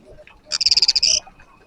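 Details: Female black redstart nesting in an old workshop's beams with four chicks softly calls a quick run of about nine high, thin chirps, then a brief sustained high note, a coded signal before approaching the nest; faint hiss.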